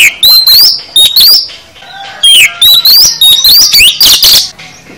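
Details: Kacer, the oriental magpie-robin, in full varied song meant to spur other birds to reply: clear upward-sliding whistles mixed with sharp chips and a harsh buzzy burst, delivered in quick loud phrases with brief rests.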